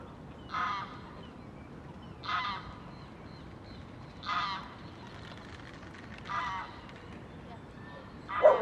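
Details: Reunited great crested grebes courting while nest building; harsh, barking calls given about every two seconds, five in all, the last one loudest, over a quiet background.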